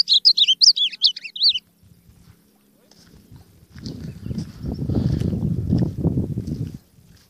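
An ultramarine grosbeak gives one quick, sweet warbled phrase of rising and falling notes. Low muffled rumbling, likely handling or indistinct voices, follows.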